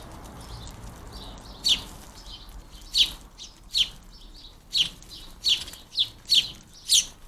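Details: Fledgling house sparrows being fed at a garden bird feeder give loud, high, squeaky chirps, one roughly every half second to second, against a quiet background.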